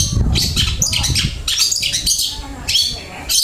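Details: Long-tailed shrike delivering a busy, flowing song of rapid scratchy squawks and chattering phrases, packed closely together, with low rumbling noise underneath.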